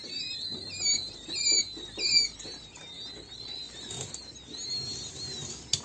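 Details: Several king quail chicks peeping: clear, high, downslurred whistles repeated about once or twice a second, overlapping one another, with light scratching and a sharp click near the end.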